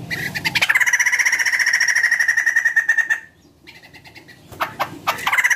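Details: White-crested laughingthrush singing to prompt other birds: a sustained harsh rattling phrase of nearly three seconds, then a brief pause and more squawking notes.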